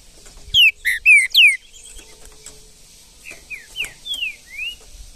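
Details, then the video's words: Green-winged saltator (trinca-ferro) singing in the wild bush: four loud, clear whistled notes sliding downward, followed by a softer run of five rising and falling slurred whistles, possibly a second distant bird. "MUITA FIBRA trinca ferro no mato"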